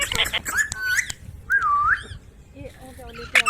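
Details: Pet ringneck parrot producing a mix of sharp squawks and clear whistled notes, including a drawn-out dipping whistle that falls then rises, with broadband harsh calls and speech-like sounds at the start and end.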